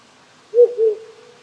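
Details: Cold night in the Japanese countryside, a wild owl gives a pair of low hollow hoots, the later one drawn out and fading slowly, with the soft hiss of a nearby brook behind.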